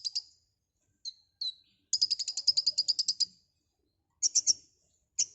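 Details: Konin, or white-rumped shama, singing vigorous gacor song with isian fills: brief high notes, a fast rattling trill of about a dozen sharp notes, then scattered paired chips.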